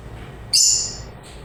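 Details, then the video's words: A lovebird gives one shrill, very high chirp that fades over about half a second. Low background hum runs throughout. "LOVE BIRDS CHIRPING SOUNDS"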